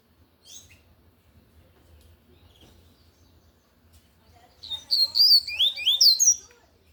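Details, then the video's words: Loud Tui Tui style song of a lined seedeater: after near silence and one brief early note, a rapid run of high, sweeping, slurred whistles bursts out over about two seconds, with a low hum beneath. "Coleiro de gola Tui Tui cantando forte"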